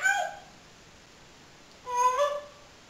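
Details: A pet parrot mimicking human speech indoors, two short voiced utterances with harmonic, speech-like bands, one at the start and another near the end, separated by a quiet pause.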